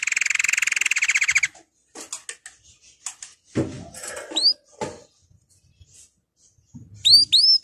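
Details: Canary singing a training song: a loud rapid trill for over a second, then scattered clicks and knocks, a couple of quiet gaps, and sharp rising whistled notes at the close.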